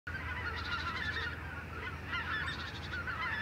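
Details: Flock of Western jackdaws returning from roost trees in the morning to gather for a group flight; a dense overlapping chatter of short harsh calls, with a steady low hum underneath.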